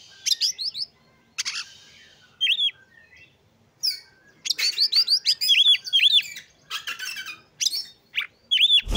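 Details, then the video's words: Singing Oriental magpie-robin used to stir other magpie-robins into song and breeding condition; bursts of bright whistles, rapid chattering runs and repeated looping notes, separated by silent gaps, ending with a low thump. "Kacer Gacor Pancing Emosi dan Dongkrak Birahi Kacer Lain Agar Lekas Gacor"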